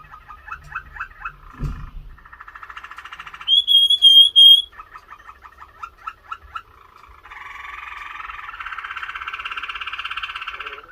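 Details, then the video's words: A Waterslager canary sings a varied song of rapid bubbling trills and rolled tours, broken by a pure, ringing whistled note and long churring rolls. "waterslager canary | Canary Sounds.."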